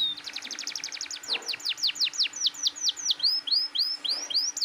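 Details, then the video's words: Canary in full, persistent song used to prompt young canaries to sing: a fast trill of high notes, then slower repeated downward-sweeping whistles and rising upslurs, with a faint steady hum beneath. "SUARA KENARI GACOR NGOTOT"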